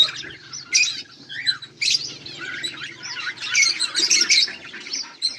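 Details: Budgerigars on 18 July 2023 giving continuous high chattering chirps, squeaks and warbles that swell into a dense twittering stretch near the end.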